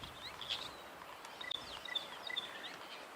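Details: A Stierling's wren-warbler, a tiny bird normally solitary at the tops of trees, gives short, high, ringing notes in quick succession, like a ringing telephone, on a sunset safari in late January, over a steady rural hiss.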